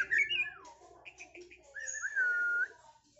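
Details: A caged Medan white-rumped shama, candidate contest champion, gives a falling slurred whistle, a few short chips, then a long, steady, pure whistled note.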